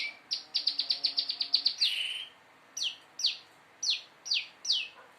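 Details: Prinia practising rapid song: a fast burst of about a dozen high chirps ending in a buzzy rasp, followed by five loud, separate downslurred whistles about half a second apart.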